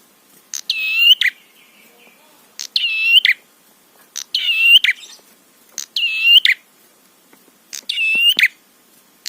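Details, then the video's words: Prinia song used to provoke other prinias: five rasping, buzzy phrases about 1.5 seconds apart, each with a click at the start and a harsh ending, over a quiet background. "Masteran Suara Trapi Prenjak PANCINGAN EMOSI BIKIN BUNYI"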